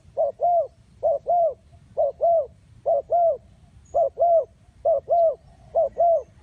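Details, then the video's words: Spotted dove heard as a trapping lure call: seven evenly spaced doublets of soft cooing, a clipped first note then a fuller rounded second note, about once per second over a faint low background hum. "The Sound Of Spotted Dove"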